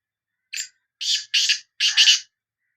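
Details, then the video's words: Sindhi black francolin call: a short introductory note, then three loud grating, buzzy bursts, the last one doubled, in a clipped rhythmic phrase. "Kala Teetar Voice | Black Frankoline Voice کالا تیتر کی آواز"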